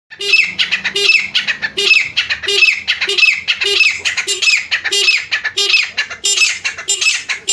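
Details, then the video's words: Francolin, known locally as teetar, calling in the jungle: loud, harsh, ringing notes in quick repeated bursts, about one and a half per second, each a rasping squawk with a short low hum beneath. "gora teetar grey francoline black francoline partridge jungle mein teetar Ki awaaz"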